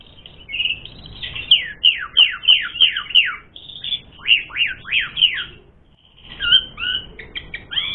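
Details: Asian pied starling song, set to provoke another bird to fight: a fast run of falling whistled slurs, several in a row, a brief break, then more descending notes and mixed chattering phrases.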